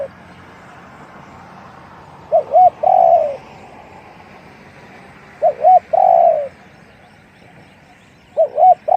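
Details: Deep-voiced spotted dove, one-'kuk' style, giving three cooing phrases roughly every three seconds: paired short arched hoots followed by a longer falling coo, over constant low background noise.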